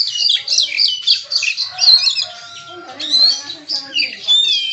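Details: Kacer singing its 'bongkar isian' style, unloading learned phrases: rapid, varied high whistled notes and buzzy slurs, with lower warbling notes and other birds audible behind.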